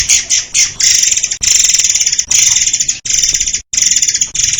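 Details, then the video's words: Murai air (white-crowned shama) song as a master recording for songbirds: dense, high, buzzy-trilled phrases repeated in quick succession with brief pauses between them. "SUARA BURUNG MURAI AIR untuk masteran || FULL DURASI & TEMBAKAN RAPAT"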